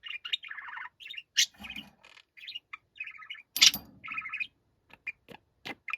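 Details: Loud pet budgerigar, noisy and angry-sounding, keeping up a continuous warbling chatter of buzzy, rasping chirps and sharp squawks with brief pauses, plus a few harsher broadband bursts.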